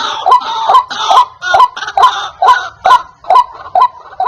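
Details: White-breasted waterhen calling loudly, a recording meant to attract wild birds: evenly spaced, croaking 'kwak' notes, roughly two per second, each with a sharp harmonic-rich onset, in a regular rhythm.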